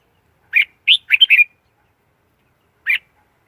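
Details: Red-whiskered bulbul lure recording meant to draw in wild birds for trapping, clean with no background noise: a brisk cluster of four to five slurred, warbled notes followed after a pause by one lone chirp.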